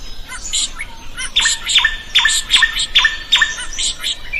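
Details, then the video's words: Drongo singing vigorously as a training song for other birds: after quiet scratchy notes, a steady run of harsh notes with hooked tails, repeated more than once a second. "SUARA SRIGUNTING GACOR COCOK BUAT MASTERAN.burung lain akan ikut gacor"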